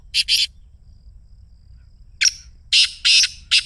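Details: Black Francolin "masti" call, played to get a caged francolin to call: short harsh, grating high notes, two close together, a pause, then a quick ragged burst of several rasping notes.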